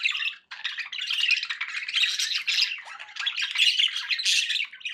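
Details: Budgies kept as pets produce nonstop scratchy warbling and sharp chirps after a brief opening pause, sounding like an excited group.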